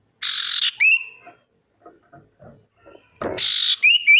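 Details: Male sirtu song used to make idle birds sing: a harsh buzzy note followed by a thin rising whistle, a pause with faint ticks, then the buzz and whistle repeated.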